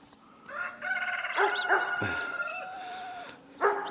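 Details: A rooster crows outside a barn on a spring day, with running water nearby: a long, wavering, gargling crow of about three seconds, then a brief harsh note, with a dull knock midway.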